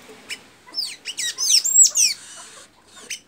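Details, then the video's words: Blue-gray tanager, known locally as pipira azul or sanhaço azul, in Santa Inês, Maranhão, giving a fast tangle of high squeaky, down-slurred notes rising to a thin squeal, then a brief pause and one last chip. "Pipira azul cantando muito"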